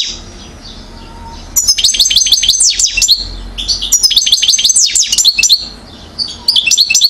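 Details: European goldfinch aged one year, Mouzaia, Algeria, 2012, giving two long runs of rapid, sweet, metallic twitters with short trills, separated by a brief lull and a faint background hum.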